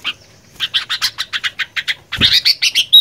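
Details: Sooty-headed bulbul in the 'gacor fighter' singing style: a fast run of short, bright chattering notes, about three per second and held steady, then briefly louder and denser near the end, with a soft thump in the middle.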